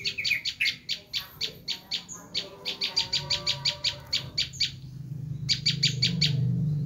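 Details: Bar-winged prinia, known locally as prenjak lumut, giving its screaming call used to lure wild prinias: rapid harsh, buzzy chips repeated about three per second, a short pause, then a fresh burst, over a low steady hum.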